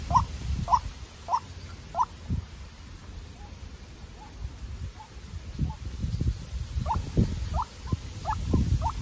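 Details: White-breasted Waterhen, a young decoy facing a wild bird in a heated contest: short rising notes at the start and again after a pause, with heavy low thumping noise between.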